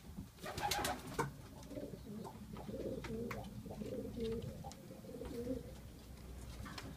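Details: Widowed male racing pigeons in early May, three weeks after entering the widowhood system, cooing steadily: deep, throaty rolling coos repeated over several seconds, a few louder flutters or knocks at the start, and scattered faint clicks throughout.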